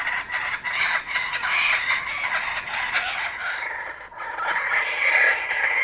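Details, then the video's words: Several kookaburras, back again, in a continuous rough cackling chorus of rapid harsh notes, with a brief dip in the middle before the laughter swells again. "Our Kookaburras are back"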